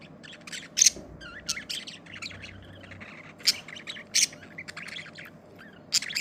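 Budgerigars chirp and chatter in quick, high, scratchy bursts with sharp squeaky peaks.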